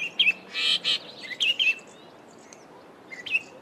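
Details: African Paradise Flycatcher, a garden bird of the Eastern Cape, South Africa: short sharp chirped notes around the middle pitch, a brief harsh buzzy burst, then scattered chips after a quiet pause.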